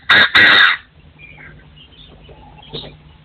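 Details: Partridge crowing in forest surroundings, 2024: two loud, harsh, rasping bursts in quick succession open the recording, followed by quiet background with faint distant chirps.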